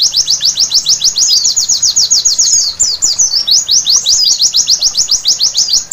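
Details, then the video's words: White-eye at night singing a quick chain of sharp, high, slurred notes, roughly three or four per second, with a jumbled twittering passage midway; faint low hum beneath. "Terapi Pleci Malam Hari Bikin Gacor seketika!!!"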